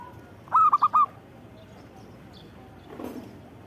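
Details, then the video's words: A single zebra dove phrase: four short, rounded cooing notes in quick succession, then near silence with a faint rustle. "Suara Burung Perkutut Gacor"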